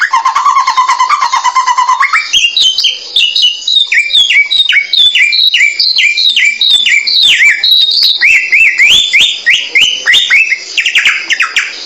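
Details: Samyong bird song for a clear tutoring recording: a low, wavering steady whistle for two seconds, then a quick, rhythmic series of high down-slurred whistles repeated in a bouncing pattern.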